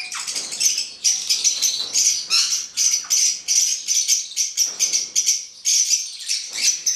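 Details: Hand-reared male black-headed caique screeching repeatedly, with shrill rasping notes grouped in rapid clusters separated by short pauses, about one cluster per second, and nothing else heard.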